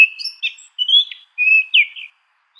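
Orange ground thrush singing a quiet, fluty phrase of drawn-out whistles and slurred, warbling notes, all high-pitched against a silent background.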